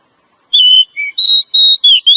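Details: Female oriental magpie-robin, used to stimulate a male into singing and breeding mood; a continuous run of clear, sustained whistles, some flat and some gently falling, joined with short gaps, bright and loud with no background noise.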